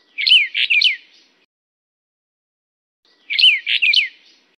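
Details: Brown bullfinch of the Taiwan endemic subspecies uchidae, found in mid- to high-elevation forest and grassland at 1000–2800 m; two short bursts of bright, rapid chirping notes with quick rising and falling slurs, about three seconds apart, in a quiet background.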